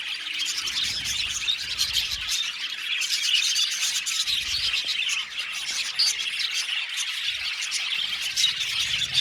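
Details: Many budgerigars, some 70 pairs housed in an aviary, produce an endless high twittering chorus with quick chirps and occasional squawks, steady in loudness, with soft low background rumbles at times.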